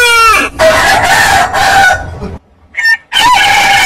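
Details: Rooster crowing, harsh and raspy, with rough broadband bursts, a short pause, then a clipped higher note and a final strained crow.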